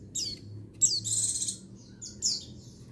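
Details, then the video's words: White-eye (pleci, buxtoni type) giving thin, very high chirps sliding downward, about five quick notes in three seconds, over a faint low hum; female call used to stimulate males to sing, recorded 22 June 2021. "Call Pleci Betina Perangsang Birahi Jantan"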